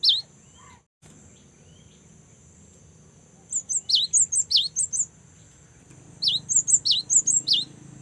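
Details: A single sharp high note opens, then a young cinereous tit delivers two fast runs of about seven piercing, up-and-down slurred chirps. Faint background hiss is heard.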